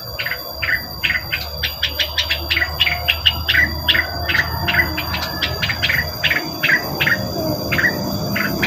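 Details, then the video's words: Rengganis lure call: a fast run of short, sharp chirps repeated about two or three per second, with a steady low hum underneath. "suara pancingan burung rengganis"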